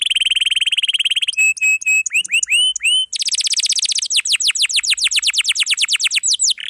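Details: Atlantic canary song for tutoring young or silent canaries: a rapid buzzy trill, a few clipped notes and rising slurs, then long rolls of quick descending whistles.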